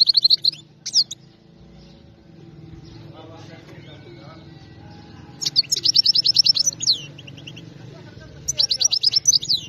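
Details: Wild-caught goldfinch song, said to be without faults. Short twitters open the recording. After a quiet stretch with a low hum, two rapid tinkling, chattering phrases follow, each closing with a descending note.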